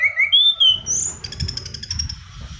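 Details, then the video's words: Lure and tutor recording of a Black-throated laughingthrush giving energetic rolling song: two falling whistles, a smooth longer whistle and a rising note, followed by a fast buzzy rattle over faint rumble. "Anis Cendana Kicauan Gacor Ngerol"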